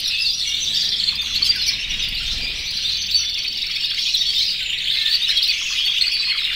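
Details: Canaries in breeding condition, over a hundred birds in one aviary, singing and calling to females; a constant shrill mass of trills and chirps that swells slightly near the middle and end.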